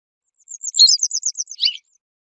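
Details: Short, fast phrase of a western yellow wagtail: a dense run of very high ticking notes closing with a lower, buzzier squeak.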